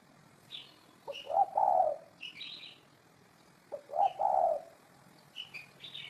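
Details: Two mellow, low coo phrases from a spotted dove about 2.5 seconds apart, each a short note and a longer hollow one, with bright chirps from another bird between them.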